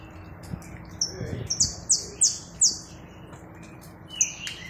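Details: Saffron finch singing: a few brief high, sharp notes, then a short run of four or five clear downward-slurred chips. A faint lower whistle comes near the end, over a soft background hiss.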